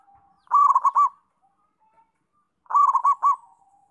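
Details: Actively singing local zebra dove giving two loud phrases of fast, pulsed, rolling coos a little over two seconds apart, with faint low hums in between.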